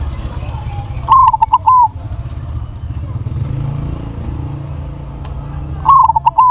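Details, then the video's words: Zebra dove of crossbred stock, noted for a big voice, coos two phrases about five seconds apart. Each has a brief opening note, clipped stutters and a drawn-out falling end, with engine noise throughout. "PERKUTUT CROSSING SUARA BESAR"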